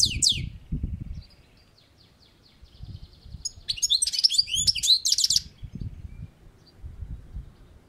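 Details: European goldfinch (saka kuşu), kept on a balcony, singing: bursts of fast, twittering, liquid notes high in pitch, with tinkling buzzy trills around four seconds, separated by quieter pauses and low background thumps.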